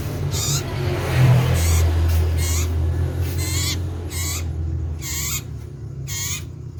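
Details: Loud common iora giving a run of short, buzzy, overtone-rich notes with a wavy quality, spaced roughly half a second to a second apart, over a constant low-pitched background drone.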